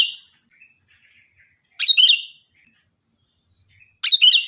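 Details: Sooty-headed bulbul singing lively and loud, used to train other songbirds: brief chirpy, warbled phrases repeated roughly every two seconds, each about half a second of quick up-and-down notes, over a steady faint electronic whine.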